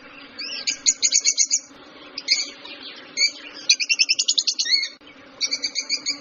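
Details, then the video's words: Lovebird chattering in rapid bursts of bright, buzzy, ringing notes, several trills of eight to ten pulses separated by short pauses, with one descending squeak; faint steady hum beneath. "Неразлучники. Попугай. Голоса птиц"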